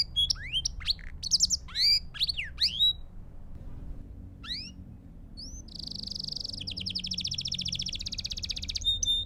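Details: Belgian canary singing, meant for training young birds: scattered sharp up-and-down slurred notes, a short pause, then a long fast buzzy roll of rapid repeated high notes with a faint background hum.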